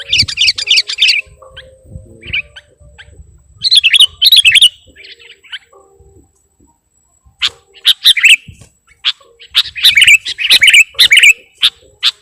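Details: Sooty-headed bulbul (kutilang) lure song full of imitations: short, dense twittering bursts separated by long quiet stretches, with scattered single high chirps.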